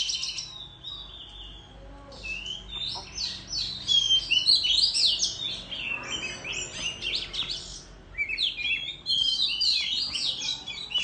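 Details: Oriental magpie-robin in rural surroundings, tail fanned, sings in competition: loud tumbling whistled phrases and twitters in two main bursts with a quieter stretch between, low rumble beneath.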